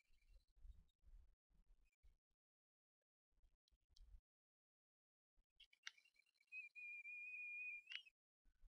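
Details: Bald eaglets on a Harrison Bay nest camera, 18 May 2015, at a food delivery by a parent: soft low bumps and rustling, then a single high, thin whistled cry held for about two seconds.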